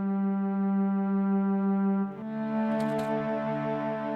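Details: Sustained instrumental music with deep horn-like and bowed tones, shifting to a new chord partway through with a brief bright shimmer; no animal voice is heard.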